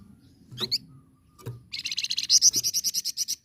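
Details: Flamboyan singing as a tutor for other birds: a few short sharp chips, then a fast rattling trill of buzzy high notes repeated about five times a second, over a low rumbling background.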